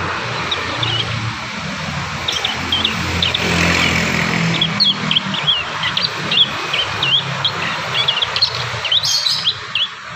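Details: Young prinias practising and learning their song: a busy run of short, high, chirping and twittering notes throughout, over a steady low hum.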